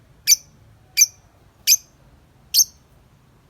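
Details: Harsh, shrill single chirps from a tame lovebird outside its cage, evenly repeated about every seven tenths of a second, five in all, in a quiet room.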